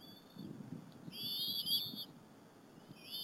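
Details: At a bald eagle nest at Berry College, 30 April 2015, eaglets feed on a squirrel with their mother in the afternoon; one brief high whistle, then a longer shrill wavering whistled call, over low rumbling background noise.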